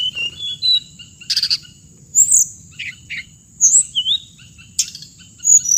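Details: High, thin chirps and sharp slurred whistles from a hồng hạnh bird, delivered in spaced bursts with brief buzzy notes between, against a steady faint high tone.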